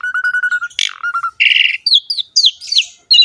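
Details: Energetic Asian pied starling song with a rich filled-in repertoire: a steady series of low whistled pips, a harsh burst, a buzzy rattle, then varied high slurred whistles sweeping up and down.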